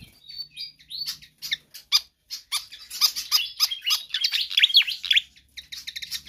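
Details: Pied fantail singing strongly as a training or lure track. Thin whistles first, then spaced high chips that build into a dense, squeaky chatter of down-slurred notes.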